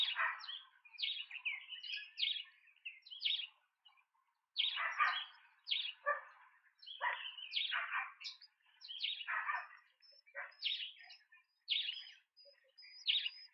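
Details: Nest-camera recording from Pretoria, South Africa, 28 September 2024, of big Speckled pigeon chicks being fed: harsh, wheezy squeaking bursts repeat roughly every second, separated by short silences, with no other sounds.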